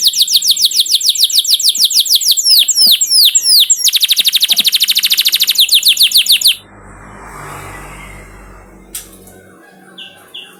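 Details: Canary song meant as a lure to get caged canaries singing: loud rapid trills, a few swooping notes, then a long dense rattling trill that stops abruptly, leaving faint room noise.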